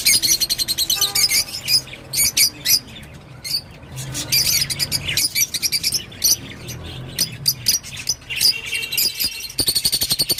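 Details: Rosy-faced lovebird song of long runs of fast, shrill, high-pitched chirps broken by squeaky calls and short quiet gaps, ending in rapid pulsed chatter.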